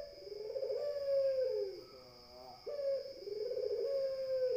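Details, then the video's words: Low, resonant spotted dove coos in close succession, each long and gently falling, a short quieter note between phrases, continuous high hum behind. "SUARA PUTER BIKIN_EMOSI _BURUNG_LAINNYA"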